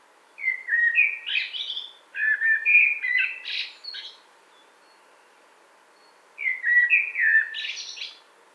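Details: Common blackbird singing two full phrases about four seconds apart, each a rich, fluted warble followed by a thin, scratchy high twitter, in a quiet setting with no other clear sounds.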